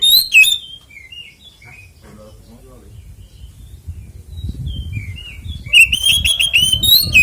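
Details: Oriental magpie-robin fighting song, played to spur other magpie-robins into song: scattered soft whistles, a long quiet stretch with low background rumble, then a loud burst of rapid whistled notes near the end.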